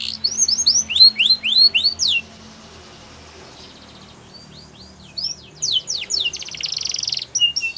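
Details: Belgian canary singing to train young canaries: a quick series of rising whistled sweeps, a pause of a few seconds, then more sweeps and a buzzy trill, with a faint low hum.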